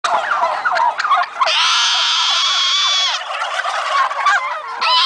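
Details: Flock of turkeys on a turkey farm before Thanksgiving: overlapping bubbling gobbles from many birds, with one loud sustained harsh call lasting about two seconds in the middle.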